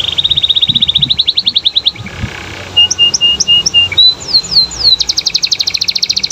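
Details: Canary singing gacor so that other canaries will answer, beginning with a fast rattling trill, then paired high and low chips, quick downslurred whistles and a closing burst of rapid notes.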